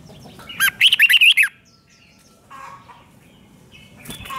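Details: One bright Red-whiskered bulbul phrase meant to excite caged birds: a quick run of six or seven looping whistled notes lasting under a second, followed by quiet and a few faint chirps.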